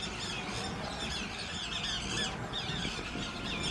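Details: River tern chicks, apparently left without a parent nearby, call for it in a dense, continuous chorus of shrill, squealing chirps that overlap without pause, over a faint rural background hum.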